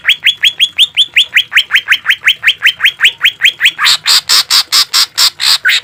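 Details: Green leafbird harsh 'shot' song for training caged birds: a rapid, steady run of about twenty rising whistled notes, then louder rasping broadband notes repeated at the same quick pace.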